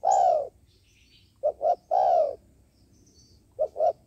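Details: Decoy spotted dove kept for trapping wild doves, cooing: a long falling coo, two short clipped coos, another long falling coo, then two more short coos, over quiet background.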